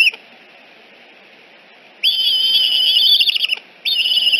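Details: Eagle at Decorah nest N1 early on 14 September 2018, a returning fledged juvenile being escorted away; after near silence, a sustained high quavering whistled chatter, then a fresh burst starts.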